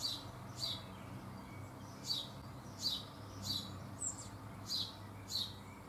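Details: Young Eurasian bullfinch, one of about four or five fledglings, feeding in a garden in June 2015, gives short, thin, high calls about once a second over a steady low background rumble.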